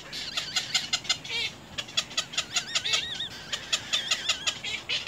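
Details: Little egret chicks at the nest, biting hard at their mother: rapid harsh clicking chatter, about four bursts a second, mixed with thin wavering whistled notes.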